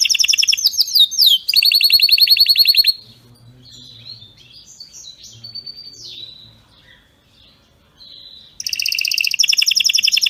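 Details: Canary performing strong, error-free song for teaching other canaries: fast downslurred notes and a rapid rolling trill, a pause holding only faint scattered chirps, then the loud rolling trill returns.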